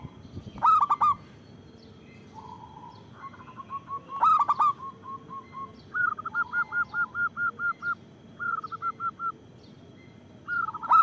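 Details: Zebra dove of a local strain, used as a lure and singing prompt: two loud clipped cooing phrases, then a long string of short, even, bouncing notes in runs, ending on another cooing burst.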